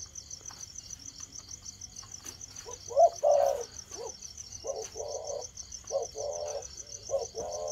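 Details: Spotted dove beginning to coo: low, soft hooting notes in short repeated phrases over a steady high-pitched insect-like buzz throughout.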